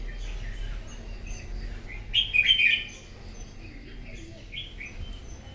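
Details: Morning competitive song from a wild-caught red-whiskered bulbul: a single quick, loud phrase of rolling whistled notes midway through, with quiet background murmur before and after.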